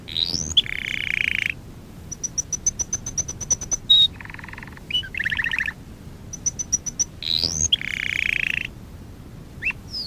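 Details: Singing canary for song training alternates rising whistled sweeps, buzzy sustained trills, series of bright high pips and fast rattling notes, phrases repeating across the clip with short pauses.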